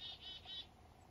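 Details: Black-capped chickadee on a foggy morning up north giving three quick, buzzy, slightly harmonic 'dee' notes in a row.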